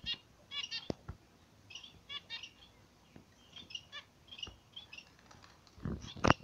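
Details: Zebra finch pair caged in morning sunlight, giving soft nasal, stacked-harmonic chirps in short repeated runs and scattered phrases, broken by a few sharp clicks and a louder rustling burst near the end.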